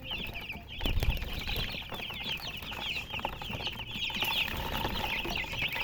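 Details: A crowd of colour chickens chirping: shrill, rapid, slightly rising peeps pour out nonstop. Brief rustling and flapping-like noise comes near the start.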